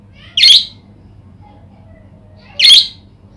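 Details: Budgerigar lure call to get other budgerigars answering and singing: a pair of loud, grating chirps roughly two seconds apart, each brief and buzzy, over a quiet background with faint soft notes.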